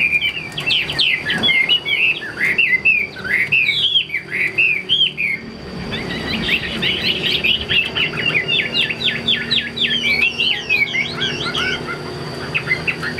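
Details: Chinese hwamei held for sale, singing a long energetic song of rapid whistled notes and trills, pausing briefly midway before resuming in a denser, more hurried run of repeated phrases.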